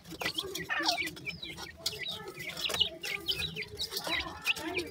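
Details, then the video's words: Francolin chicks from a new dakhni teetar pair: bright high peeps and chirps, mostly short and upslurred, spread unevenly, with clicks and soft rustling in the background. "beautifull new jora dakhni teetar chicks,sindhi teetar ki voice"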